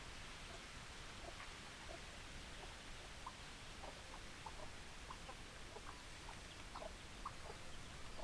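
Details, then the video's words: Chickens: soft, short clucks repeated irregularly throughout, several in quick succession near the end, faint beneath a steady broadband hiss. "Chicken Sounds Noises Hens Clucking Roosters Crowing"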